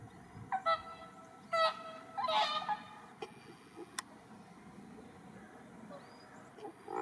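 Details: Whooper swans at Asahiyama Park, Iwanuma, Miyagi, Japan, 1 March 2023. Six wild birds (2 adults, 4 juveniles) and a captive whooper and Bewick's swan calling eagerly for attention. Loud bugling honks, two close together, then quieter trumpeting over a soft murmur.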